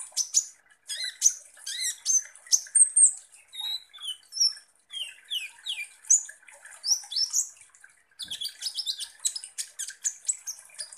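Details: Lively kolibri ninja (Van Hasselt's sunbird) song meant to provoke konin birds: dense, very high scratchy twittering in quick bursts, short gaps, a run of clear downslurred whistles in the middle, then fast chatter again.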